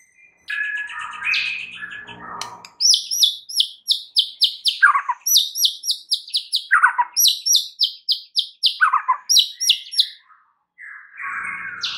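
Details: White-rumped shama singing as a lure to stir up other birds; a burry warbled start gives way to long rapid bursts of crisp, high repeated notes broken by lower slurred whistles, then a final buzzy phrase.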